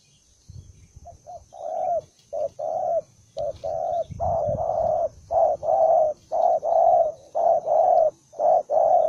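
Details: An aggressive, combative spotted dove cooing: a rapid series of low, rounded coos in short bursts, nearly one per second and growing steadier and louder, over low rustling and a faint constant high tone.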